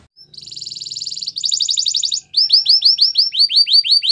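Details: Canary song for training: a soft buzzy trill, then a louder pulsed rattle, then looping swept whistles repeated about three times a second.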